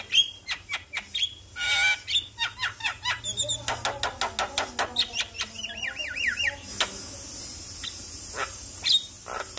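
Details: Javan myna recorded in the morning as a lure to rouse a quiet myna into singing: rapid series of sharp clicks and harsh notes, a run of buzzy rising chatter, and high whistled phrases over a faint steady hiss.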